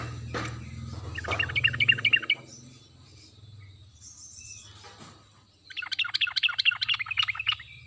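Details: Sooty-headed bulbul lure song in the wild style, meant to make quiet birds answer: two bursts of fast, bright, bouncing chirps, the second longer, over a constant low humming background.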